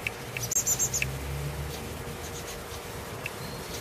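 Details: Blackbird chick and mother in a garden: a brief run of four piercing high notes near the start, then only scattered faint ticks over a low background hum.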